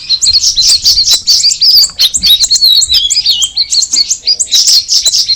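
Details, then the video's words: Cucak rawis (straw-headed bulbul) singing a fast, busy run of sharp chirps and short whistled slurs, high-pitched and densely packed, with brief pauses between bursts and no other clear sounds. "the alluring sound of the cucak rawis bird"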